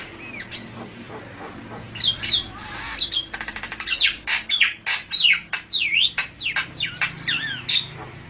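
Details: Loud song of a Javan myna (jalak kebo), used as a lure: a rapid burst of dry clicks, then a long series of harsh, grating notes and whistled V-shaped swoops, roughly two per second.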